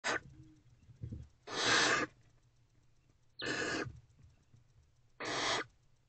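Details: Owls in nest box C at 1:48 am, 21 February 2024, as an older owlet swallows a large piece of prey; four harsh, broadband hissing bursts, each about half a second long, spaced roughly every one and a half seconds.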